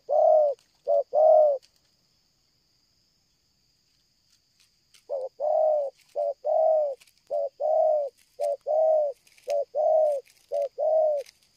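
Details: Spotted dove calling loudly and nonstop, in a stuttering cooing style. A few paired coos, a pause of about three seconds, then a steady run of short-then-long hollow coos repeating about once a second.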